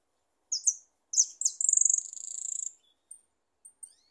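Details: A goldfinch sings: two high chirps and slurred twitters, then a sustained buzzy, rattling trill lasting about a second, followed by a few faint, thin high notes, in a quiet setting.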